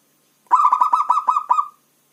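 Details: Javanese zebra dove, a local bird: about eight rolling, purred coo notes in quick, evenly spaced succession at steady pitch, lasting over a second, in clean silence.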